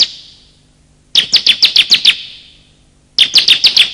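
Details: High, clipped chirps from male and female bar-winged prinias, used to trigger quiet birds and attract wild ones: two rapid bursts of around seven to eight notes, separated by a second-long silence.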